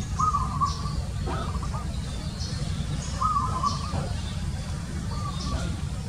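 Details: Zebra dove producing a few short, purring, stuttered coo phrases spaced a second or two apart, with a loud low rumble underneath and soft high chirps.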